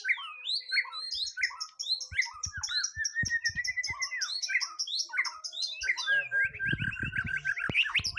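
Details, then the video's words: Caged white-rumped shama on its first contest outing, singing a varied song: repeated high chipping notes, slurred whistles, then a fast rising buzzy trill near the end, with faint knocking sounds underneath. "Nguji Mental Burung Murai Batu Perdana"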